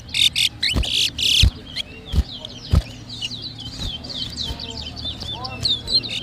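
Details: Competition towa towa (seed finch) in New Amsterdam, Berbice, Guyana, 2023. Two loud buzzy bursts and sharp knocks open the recording, then a continuous chatter of fast, high, slurred whistle notes.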